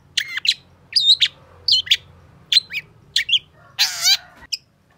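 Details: Long-tailed shrike song played to prompt a bird that no longer sings: spaced clusters of sharp, twangy high notes roughly every half second, then one broad harsh rasp before a final chip.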